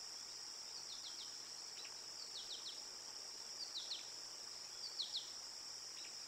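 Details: Ruby-throated hummingbird recorded 15 August 2022 near the Decorah Eagles North nest: groups of two or three very high, thin, quickly falling chips, repeated every second or so, over a steady high insect drone.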